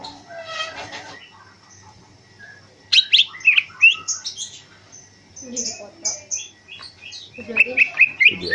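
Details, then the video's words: A greater green leafbird, kept about five years and trained in an open flight area in the afternoon, sings a fast, varied run of high sweet whistles, chips and trills, with a person's voice briefly in the background. "burung Cak ijo Ngentrok"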